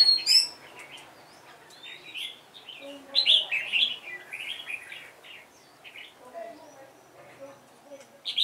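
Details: Decoy red-whiskered bulbul singing a run of quick chirpy warbled notes in uneven bursts, loudest mid-way, with softer lower calls and faint background chatter.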